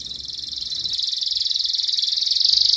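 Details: Breeding-condition canary calling a rival, used to teach young canaries: a continuous rapid buzzy roll, high and dense, its pulses quickening and growing louder through the clip.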